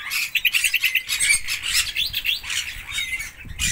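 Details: Red-rumped parrots giving a dense run of shrill chirps and short squawks. The bursts overlap rapidly, suggesting several birds, with brief scratchy notes in between and faint low rustling underneath.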